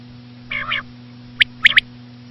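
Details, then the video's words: Common quail, said to be female: a brief soft nasal note followed by a single bright three-note phrase, steady hum in the background. "common quail.quail sound effect.batair ki Awaz.Звук самки перепела.صدای بلدرچین ۔.बटेर की आवाज"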